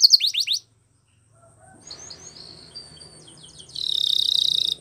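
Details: Spanish Timbrado canary training song: a few brief falling high notes, a pause with faint scattered chirps and low background rumble, then a loud, even, rapid metallic trill.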